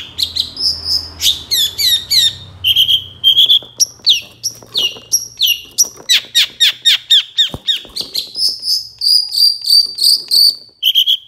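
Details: Varied long-tailed shrike song from a training master recording: clear pure whistles, sharp chips and buzzy downslurs strung together, then a run of repeated steady high whistles near the end; one sharp click midway.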